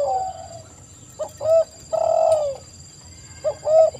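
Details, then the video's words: Spotted dove voice: soft mellow coos come in short hooked notes and one long arched coo, separated by quiet gaps of about a second. A steady faint high whine runs throughout. "TEKUKUR GACOR suara merdu"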